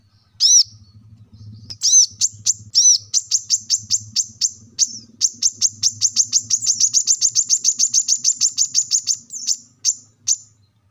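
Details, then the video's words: Plain-throated sunbird (kolibri kelapa, manggar), played to get caged birds singing: a few separate sharp high chips, then a fast, even trill of high ticking notes lasting about six seconds, over a low hum. "kolibri kelapa | wiceh | manggar | cuitan korlap gacor untuk burung agar cepat rajin bunyi gacor"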